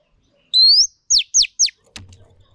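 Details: Female Oriental magpie-robin, used in training to stimulate males. One upslurred whistle, then three sharp descending sweeps, and a brief click at the end.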